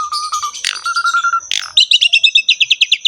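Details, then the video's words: Asian pied starling singing hard in a rich filled-in style, opening with low repeated whistled pips and harsh scratchy bursts, then a quick, evenly spaced run of bright chirps about twelve times in a second and a half. "KICAUAN BURUNG JALAK SUREN GACOR FULL ISIAN MEWAH"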